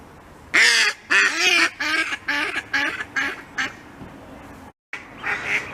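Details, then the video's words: Khaki Campbell duck quacking loudly and raspily in a run of about six calls over four seconds, the calls growing shorter and weaker before a brief silence and fainter sounds. "SOUND OF A KHAKI CAMPBELL DUCK"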